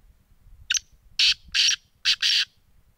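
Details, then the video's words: Black francolin calling: a short series of loud, harsh, high-pitched grating notes, one brief then four broad bursts spaced about half a second apart over three seconds, with quiet background. "titar voice"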